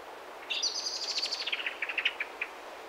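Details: Common blackbird giving its explosive call, a loud, shrill rattle running into sharp, high chinks, slowing and fading over two seconds.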